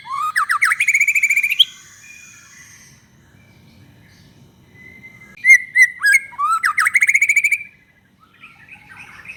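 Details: White-rumped shama singing as a lure for other shamas: a fast rattling trill rising in pitch, a pause, a long plain whistle and sharp notes, then another rising rapid trill.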